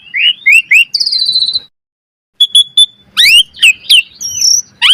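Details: Asian pied starling training song: rising whistles and a long falling whistle, a short pause, then sharp chips, a rising sweep and bright looping whistles.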